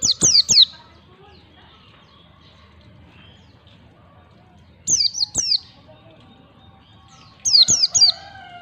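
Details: White-eye (pleci) song in 'ngalas' style, played to train young birds in 1, 2, 3 beats: bursts of three sharp, descending whistles spaced about four seconds apart over a quiet background.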